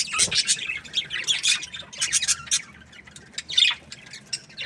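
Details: Budgerigars in an aviary, overlapping squeaky chirps and short scratchy warbles in quick irregular bursts, a louder squawk near the end.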